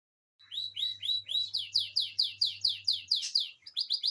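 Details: Canary song, said to come from one of two kept canaries alongside another bird: a steady series of clear, downslurred whistled notes, about two per second and growing louder, ending in quicker notes over a faint low electrical hum.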